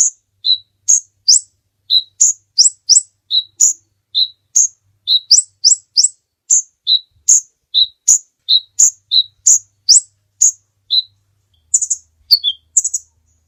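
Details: Extended kolibri ninja sunbird song for tutoring caged birds: a rapid, steady series of sharp high chirps, often paired, about two per second for over thirteen seconds. It ends with a short burst of burry notes.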